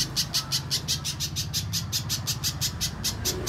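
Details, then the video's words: Repeated sharp, high chips from a little spiderhunter lure recording, spaced evenly about a fifth of a second apart, over a noticeable low rumbling background. "Suara Pikat Burung Pijantung Pisang Durasi Panjang, Pijantung Bahan Langsung Bunyi"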